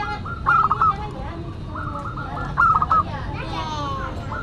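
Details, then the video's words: Local Indonesian zebra dove singing actively, with a classic, unique voice. Two bright, rapid cooing phrases about two seconds apart, with fainter coos and other bird chatter behind. "Perkutut Lokal Gacor Suara KLASIK Dan UNIK"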